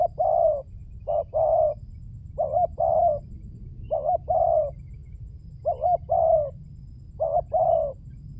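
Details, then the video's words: Spotted dove cooing as a lure, steady series of soft low phrases, a short bent note then a drawn-out hoot, repeated roughly every one and a half seconds. "Pancingan burung tekukur berkhasiat"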